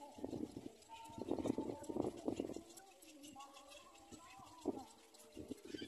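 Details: Little black cormorant; begging call; chick begging for food from its parent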